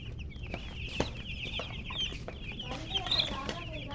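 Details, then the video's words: Colour chickens alongside a murgi hen, thin high peeps sliding downward amid clatter and a sharp tap, a few brighter squeaky notes near the end, low drone beneath. "silly chicken chirping sounds with murgi hen color chicken"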